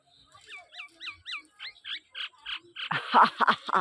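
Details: Common hill myna interacting with its owner: several sharp upswept whistles repeated about four per second, then rougher blurred notes, ending in loud harsh, grating bursts.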